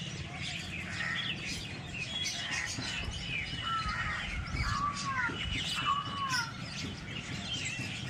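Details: Village birds chirping: a steady chorus of high twitters with several clear down-slurred whistled notes repeated around the middle, over soft low background noise.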